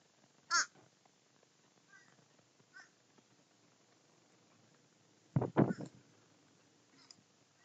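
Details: Several crows feasting together: a single clear, harsh caw early on, faint distant caws, then a loud cluster of three or four rough caws in quick succession near the end.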